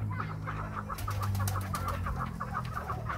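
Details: Captive chukar partridge from Krasnoyarsk calling on its owner's prompting: evenly spaced, clipped clucks repeated several times a second over a low hum, with faint room noise.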